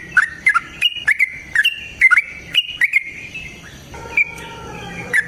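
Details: Yellow-vented bulbul in long, lively song meant to spur another bird to sing. Rapid chirpy whistled notes bounce up and down in short bursts, with a slightly quieter, thinner passage near the end.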